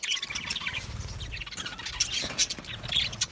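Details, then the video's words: Steady budgie chattering: fast high chirps and whistled squeaks from several birds run together continuously over a soft low background hum. "Budgie chirping sounds"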